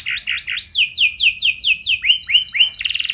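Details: Lure song of a canary with an ornate style and long bursts, meant to set other canaries singing: quick series of sweeping notes, about four per second, dropping in pitch from tour to tour.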